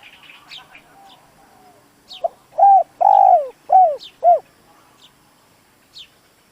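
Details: Decoy spotted dove calling to draw rival doves, with one phrase of five rounded, downward-curving coos, the middle note longest and loudest, while thin high chirps of small birds are scattered around it.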